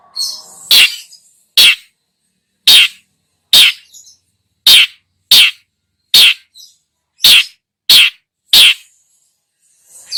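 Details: Long-tailed shrike (cendet) singing in full voice, played as a lure to stir other birds: about ten loud, harsh rasping bursts spaced roughly a second apart over ten seconds, with near silence between them.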